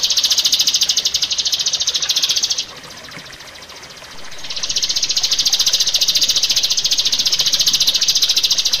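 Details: Rio-rio bird in a master recording meant to lure and train caged birds, delivering a long, fast, buzzy high-pitched trill that stops briefly and then resumes at full strength.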